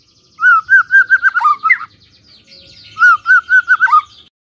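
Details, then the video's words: White-rumped shama lure song for provoking replies from other shamas. Two phrases of lower, mellow, warbled whistles, with faint high notes in the background. "pancingan murai batu ini bikin GAMPANG NYAUT murai lainnya"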